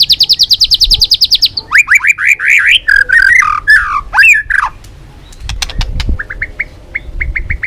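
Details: White-rumped shama singing as a bird-catching lure: a fast rattling series of high notes, then loud rich whistled phrases sweeping up and down, followed by quieter short repeated whistles.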